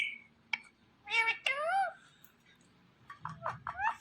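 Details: Indian ringneck parakeet, a green talking parrot, mimicking speech indoors: a sharp squawk, then harmonic speech-like syllables sweeping up and down, followed by a quick string of short chattering notes.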